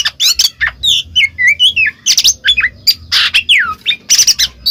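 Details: Oriental magpie-robin singing ngeplong to stir a silent bird into song: a quick string of bright slurred whistles, some falling, others rising, mixed with short harsh buzzes.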